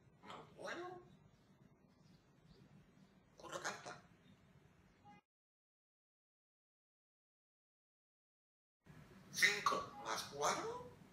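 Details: A pet grey parrot talking in Spanish, saying swear words, utters short, raspy, speech-like phrases in a few bursts, with a long silent gap midway and faint background hum.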